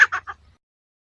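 Grey francolin female: three quick, harsh, mid-pitched notes over about a third of a second, each a little lower and softer than the last, then silence.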